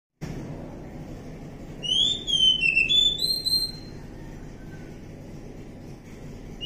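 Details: Wild forest Oriental magpie-robin giving a short burst of clear whistled notes, sliding and stepping between phrases for about two seconds, over a steady low background hum.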